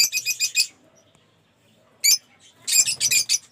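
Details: Aviary lovebirds, a collection including Move Rosy, Off Pallid and Opaline birds, make rapid strings of piercing, high chattering notes, then pause before another shrill burst.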